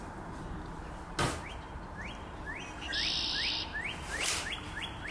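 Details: A red-winged blackbird, recorded 30 March 2024, gives a string of short, rising chirps several times a second, with a brief buzzy burst midway and occasional noisy rustles.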